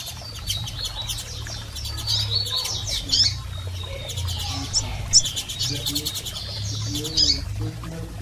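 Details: Double-collared seedeater females and males calling, used to stimulate a male: short high chirps in loose runs, with dense rapid clicking and a low steady hum underneath.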